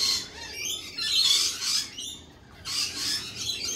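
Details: Lorikeets in a dense burst of harsh, shrill screeching, two long overlapping bouts separated by a brief lull, sounding like several birds calling at once.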